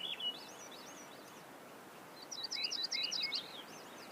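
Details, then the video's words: Crowned warbler song: a short burst of quick, high, wavering notes at the start, then a longer run of rapid chirpy, zigzagging notes after a pause, over steady background hiss. "La Reinita Coronada"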